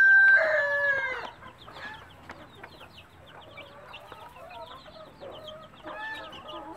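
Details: Mother hen of a native country breed calling chicks to food: one loud, drawn-out call at the start, then a busy chorus of high, downward-slurred chick peeps with soft clucks.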